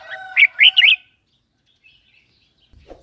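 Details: Red-whiskered bulbul song, a recording used to stir up new or wild-caught birds and to teach young ones: one loud phrase of three quick warbled notes, then near silence with a faint low knock at the end.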